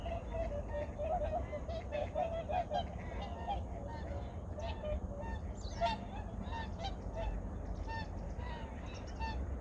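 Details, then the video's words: Migratory birds calling in the early morning at Junam Reservoir in Changwon, recorded in 2019: a dense chorus of overlapping nasal honks, many voices calling at once without pause, over a steady low rumble. "창원 주남저수지 철새소리"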